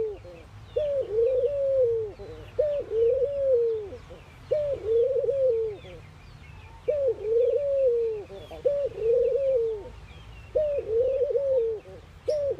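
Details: Ring-necked doves calling during morning activity in India, a run of about six low, rolling coo phrases roughly every two seconds, each level then dropping, with scattered small-bird chirps throughout.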